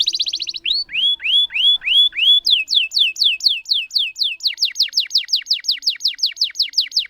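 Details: Canary singing a long roll meant to set off silent canaries: a short fast trill, then rising-falling whistled arcs, then an even series of quick downward-sweeping notes about four per second.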